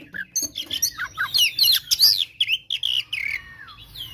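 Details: Oriental magpie-robin in a fighting, provoking song meant to stir rivals into anger: a rapid run of loud, varied whistled and chattering notes, sweeping up and down, about two to three per second, then a falling slurred whistle.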